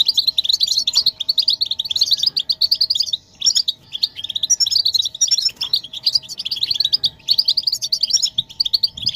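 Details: Stimulation recording of European goldfinches, meant to make a silent male sing: dense runs of bright twittering, fast chirps and jingling trills repeated in bursts over a faint constant hum.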